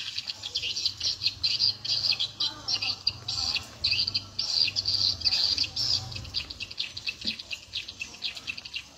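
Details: Edible-nest swiftlets answering a lure sound set to nine o'clock volume, the birds immediately lively. Harsh, high chirping comes in repeated bursts, with a faint low tone in the background.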